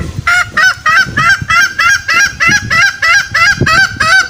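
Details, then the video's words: Green junglefowl trapping lure meant to coax males from the forest: brisk, evenly spaced nasal honks, about three per second, each note slightly rising, with low rumbling noise beneath. "Pikat ayam hutan hijau suara masteran dan pikat paling ampuh"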